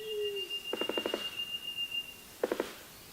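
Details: A displaying male Black Sicklebill makes a non-vocal sound with its bill closed: a rapid burst of about six dry knocks like distant machine-gun fire, then a shorter burst, over a thin steady high whine.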